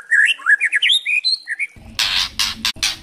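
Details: An Oriental magpie-robin gives a quick run of varied, sweet whistled phrases, then breaks into loud, harsh, crackling bursts. The recording is used as bait to provoke other magpie-robins into full song.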